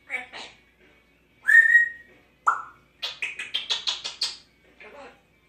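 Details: A 6-year-old female Congo African grey parrot, which sneezes, coughs, burps and talks, gives short speech-like bursts, a bright rising whistle and a falling squeak, then a quick string of about eight clipped, rhythmic notes.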